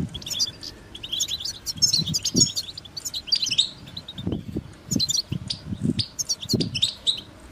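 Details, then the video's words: Goldfinch song of high twittering phrases and chirps, accompanied by repeated low knocking thuds in the background. "Amplifying the Goldfinch's Voice"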